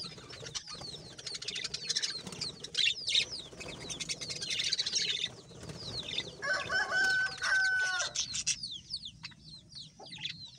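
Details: Budgies sing in lively chatter, rapid high chirps and down-slurred tweets tumbling over one another, interrupted by a clear, sustained squeaky whistle with buzzy overtones before the twittering resumes.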